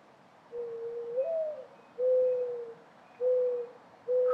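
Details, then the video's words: A mourning dove coos: a soft, low, hollow note that swells upward then slides down, followed by two steady mournful coos and the start of a third. "Mourning Dove Sounds & Calls"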